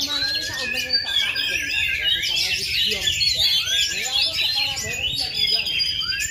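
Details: Oriental magpie-robin from Indonesia, a bird that has not moulted for two and a half years yet still sings at full power. Dense, rapid, high whistled and chattering phrases with sweeping slurred notes, over a background of voices.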